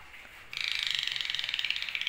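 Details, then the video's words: Asian pied starling making its snoring rasp: after half a second of quiet, a harsh, buzzy, grating rattle of rapid pulses, roughly fifteen per second, holds steady for over a second and a half. "Burung jalakku ngorok"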